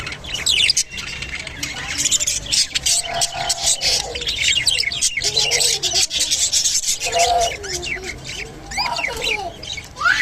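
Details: Mating Japanese budgerigar pouring out a long raspy warble: scratchy clicking chatter with wavy whistled phrases and brief rising squeaks, almost without pause.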